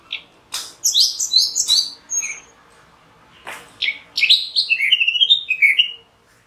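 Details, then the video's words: Orange-headed thrush delivering jumbled bursts of high, squeaky notes, a pause, then a sharp click and a descending run of sweet, slurred whistles repeated several times. "Orange-headed thrush Call | Voice | Song | Signing"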